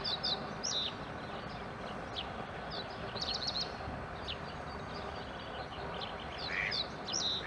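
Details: Eurasian coot chicks playing around their nest on the Schützenweiher, Winterthur, with parents attending. Sharp, high-pitched squeaks repeat irregularly through the clip, some in quick doubled bursts, against a continuous noisy background.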